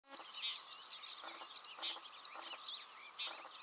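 Red-backed shrike giving busy, high scratchy chirps and short whistled notes, some rising sharply, in a steady jumble with soft background noise.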